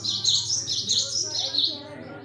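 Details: Cinereous tit, locally gelatik batu, singing actively: a high, fluttering chain of buzzy whistled notes rising and falling in quick pulses, over a faint low hum.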